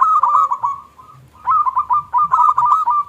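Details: Local zebra dove, kept as a caged songbird, used as a lure to provoke other doves into calling; bursts of soft rolling coos near one pitch, quick stuttered notes repeated about four per second, with a short pause mid-clip.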